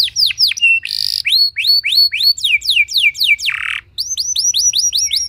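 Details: Canary song meant to trigger other canaries to sing: sharp downslurred whistles, a buzzy burst, rising chirp series, a fast rolling trill, another harsh buzz, then a steady run of bright repeated upslurs.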